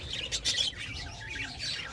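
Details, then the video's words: Budgerigars in a colony during breeding season: quick high chattering chirps, loudest at the start, then softer warbling notes above a low steady hum. "Budgies Colony Breeding Progress | Budgies Breeding Season"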